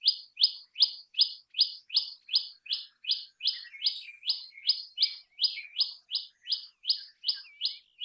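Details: Common tailorbird singing a rapid series of loud, sharp, high chirped notes, each a quick two-part 'chee-up', repeated steadily about two and a half times per second, roughly twenty notes without pause, with a faint second bird chirping softly behind.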